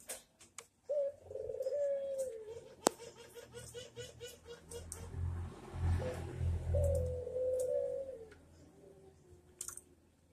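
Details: Barbary dove manggung coo for training birds: low rolling coos at the start and again near the end, over a steady low rumble and scattered clicking noises.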